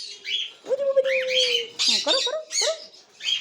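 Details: A cockatiel gives a long, level whistle, then a quick burst of rising and falling chirps and sharp squeaks, all high and busy.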